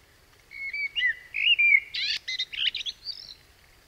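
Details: Common blackbird song, played in a lecture on nature sounds from La Mancha, one of four stages of song learning, a bird that already masters the technique: mellow fluted whistles for about a second and a half, then a squeaky twittering flourish.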